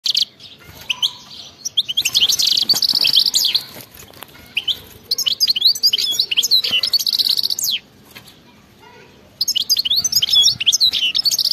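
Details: European goldfinch singing a fast, twittering song in three bursts of rapid high chirps, trills and buzzy notes, with quiet pauses between phrases and faint background rumble.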